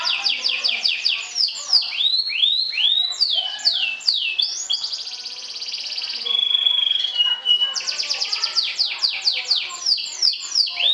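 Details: A champion sobek canary trills to provoke and beat rival birds. Loud downslurred whistled notes repeat in quick series, break into a sustained buzzy trill and a pure steady whistle, then resume rapid falling notes.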